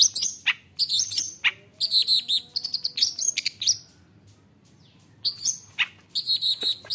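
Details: Long-tailed shrike singing to stir rival shrikes into calling back: bursts of harsh, high, rasping and chattering notes broken by short pauses and a near-silent gap before the scratchy phrases resume.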